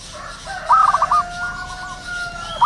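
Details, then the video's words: Wild zebra dove in the morning giving one loud stuttering phrase of a rising note and quick clipped coos, over another bird's long, steady whistled tones. "burung perkutut lokal alam gacor penuh gairah"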